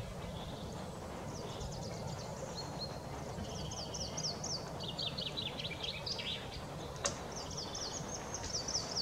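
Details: Common chaffinch sings on 6 April 2021, bright high phrases, each a run of notes tumbling downward into a quick flourish, with a second phrase starting near the end, over a steady low rumble of wind or distant traffic.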